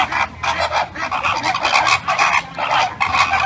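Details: Flamingo flock giving a dense, continuous chorus of nasal honks, many birds overlapping in pulsing bursts roughly twice a second with no pause.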